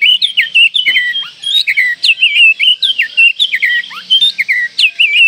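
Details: Oriental magpie-robin in breeding condition singing to provoke rivals: dense run of loud, looping whistled phrases, rising and falling slurs following one another rapidly without pause.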